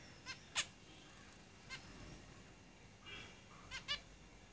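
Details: Caged zebra finches giving short, faint, nasal calls with stacked harmonics, scattered singly and in pairs over a soft background hiss.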